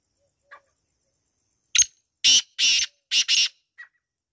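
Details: Black francolin calling. A faint short note comes first, then a loud harsh phrase of one clipped note and two long grating notes, followed by a quick rasping pair and a soft tail note.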